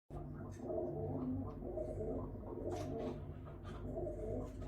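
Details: Pigeons at a window give low, throaty, gargling coos that run almost without pause over a steady low hum, with faint clicks and rustles.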